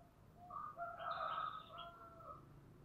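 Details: Spotted dove cooing in the 'giọng thổ' voice style, kept as a fighting or competition bird: a hoarse, broken coo phrase lasting about two seconds, partly masked by background hiss.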